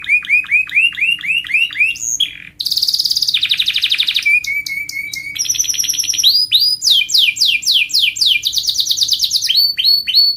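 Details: A panda-marked canary in full song, rapid repeated rising whistled notes about four per second, then fast buzzy trills, a steady high whistle, and varied rolling phrases changing every second or two.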